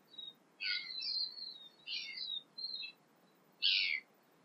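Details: A tui sings five short, varied phrases of bright, high chiming and squeaky notes over four seconds during an early morning sunrise in New Zealand, against a quiet background.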